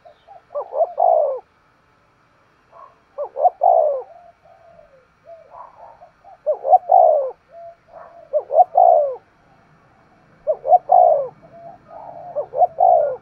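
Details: Spotted dove giving vigorous thúc gù cooing: low, throaty coo phrases of several quick notes, repeated in bursts every two to three seconds with soft notes between, in a quiet setting.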